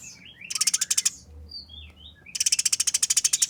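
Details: Fighting Eurasian tree sparrows: two bursts of fast, tightly packed rasping pulses, the rough 'nyerecet kasaran' chatter, separated by a pause filled with faint thin whistles.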